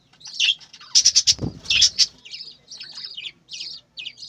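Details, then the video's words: Budgerigars kept on a bird farm, chirping: high, scratchy chatter with bursts of rapid clicking chirps near the middle, then broken, warbling twitters fading toward the end, with a soft low thump among the calls. "বজিগর পাখির ডাক । পাখির কিচিরমিচির শব্দ"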